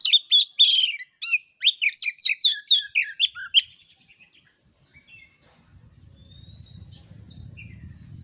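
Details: Kacer, or Oriental magpie-robin, singing as a training master for young singers: a rapid run of loud, sharp chirped and whistled notes for about four seconds, fading into soft scattered notes over a low rumbling background noise.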